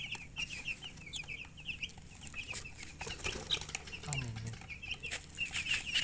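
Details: Chicken chicks giving rapid, high, short peeps in quick overlapping runs, with faint low clucks underneath and soft scratchy rustling throughout.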